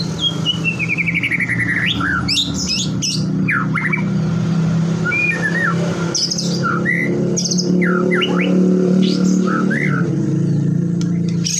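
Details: White-rumped shama song intended to trigger other shamas to sing: a fast dropping trill, then varied slurred whistles and chips scattered over a constant low rumble.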